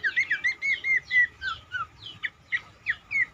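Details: Cingcoang song used as a lure to get other birds of its kind singing: a string of clear slurred whistles, mostly falling, given about three or four per second, then scattered sharp chirps.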